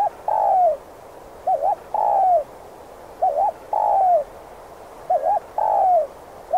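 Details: Spotted dove (cu gáy) used to lure wild doves into traps, cooing steadily: a short wavering double note followed by a longer falling coo, the phrase repeated about every 1.7 seconds over a faint background hiss.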